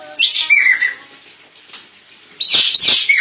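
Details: Crested jay song used as a master recording: two bursts of loud whistled and harsh notes, the first falling from high to lower pitch, the second a noisy rough burst, with a quiet gap between them.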